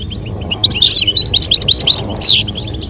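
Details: European goldfinch male song with female calls during mating stimulation; quick run of sharp twittering notes and buzzy slurs building to a descending sweep, over background hum.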